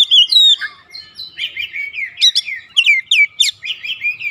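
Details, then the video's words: Oriental magpie-robin song recorded at home, intended to provoke answering birds; varied whistled phrases and high sweeping notes in quick succession, slightly softer toward the end. "AUTO RESPON NGEPLONG GACOR KACER ANDA DIRUMAH"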